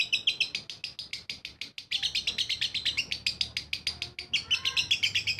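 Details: Long rattling ngekek from a lovebird, fast piercing chirps repeated almost four per second, with a short pause near the middle before the chatter surges back louder.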